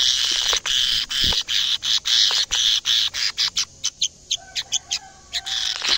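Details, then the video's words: Canary singing energetically in its cage as it first sees a camera: a loud, dense buzzy warble chopped into pulses, then thinner quick notes with a few whistled tones. "kenari gacor bikin geleng geleng kepala reaksi kenari saat pertama kali lihat camera dalam sangkar"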